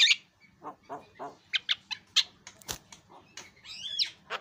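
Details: Javan myna on a songbird tutor recording, birds said to answer each other. Varied short croaks, low rasping notes and higher chirps are scattered irregularly, ending in a twisting whistled squeal.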